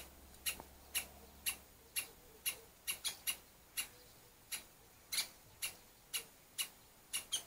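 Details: Parent woodpeckers, a pair, scolding an intruder near their nest with small chicks; loud abrupt 'kik' calls roughly two per second, sometimes doubled, unevenly spaced, with faint background hum.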